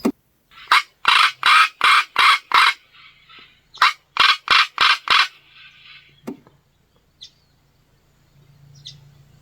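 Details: A male Northern Black Korhaan calls close by in the Kgalagadi, Kalahari, in November 2025 after exceptional rains, giving loud, harsh rasping croaks in two quick bursts of about five, then a quiet low hum.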